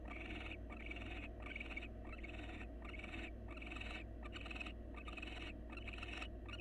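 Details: Wild barn owls in a monitored nest box, male grooming the female and offering a meal; continuous rasping, wheezy hisses broken by brief gaps, with faint clicks, over a low steady hum.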